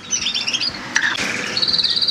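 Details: Canaries in a bird room at the start of the breeding season, with eggs already laid, sing bright, high chirps and warbled phrases ending in a fast, even trill; several birds overlap.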